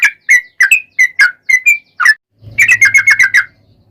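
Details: Yellow-vented bulbul in 'ropel' style song, played as a lure to prompt singing: separate bubbly slurred whistles, then a fast chattering burst of notes over a faint low hum.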